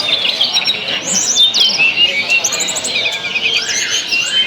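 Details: Tledekan birdsong used to provoke other birds into lively singing: busy high-pitched chirping with sharp whistled upslurs and downslurs, rapid trilled bursts and overlapping phrases, continuous throughout with faint background hiss.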